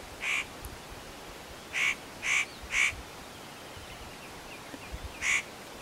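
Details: Spotted nutcracker at Matsunokizawa-no-kashira, Japan, preening and calling unaware of the observer: a single rasping note, then a quick run of three harsh grating calls, and one more after a pause, over soft hiss.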